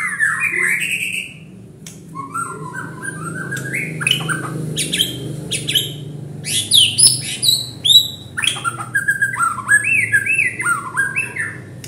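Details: White-rumped shama provoked to sing: a varied, loud run of whistled phrases, rising slurs, stepped notes and harsh squawks, fast and changing, over a steady low hum.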